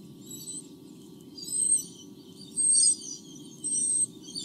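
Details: White-bellied sea eagle, two chicks in the nest, Australia, 8 August 2015, nest camera: three bursts of thin, high whistled peeps with short tonal streaks, over a steady low hum.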